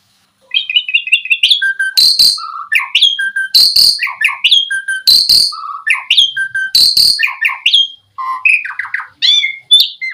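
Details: Asian pied starling singing as a lure to set other starlings singing. A long, varied medley of whistles, rising slurs, scratchy notes and sharp clicks, delivered in rapid, changing phrases.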